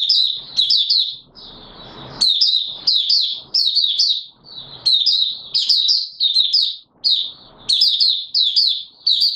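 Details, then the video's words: Caged white-eye (Mata Puteh Raja), song still short of full condition, recorded 9 May 2022; lively, high, sweet twitters repeated in clustered phrases, broken by a short scratchy noise early on. "Mata Puteh Raja V1 buka sing not full condition yet"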